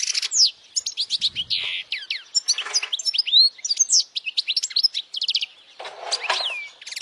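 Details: Powerful goldfinch song for young goldfinches to memorize: a continuous, fast medley of bright twitters, sweeping whistles and buzzy chirps with hardly a pause, including a drawn-out descending note near the end.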